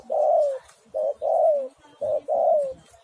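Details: Spotted dove (tekukur) song used as a lure: three loud, mellow coos, each sliding downward at the end, the second and third preceded by a short clipped note, in a quiet setting.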